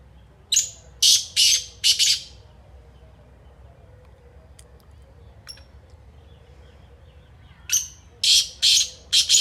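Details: Kala teetar, or black francolin, giving a phrase of four loud rasping notes, then a long near-silent pause, then another harsh four-note phrase at the end.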